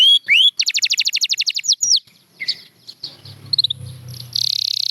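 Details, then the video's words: Singing champion canary, with Gloster canary named among the birds: a rising whistle leads into a fast even series of sharp notes, then scattered chips with a low hum beneath, ending in a buzzy trill. "White Canary's 30 Minute Harmony : The Key to Your Bird's Singing Success"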